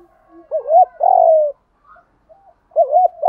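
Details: Spotted doves cooing to encourage kept doves to answer: a wavering double note and a sustained falling coo, a short quiet gap, then the phrase starting again.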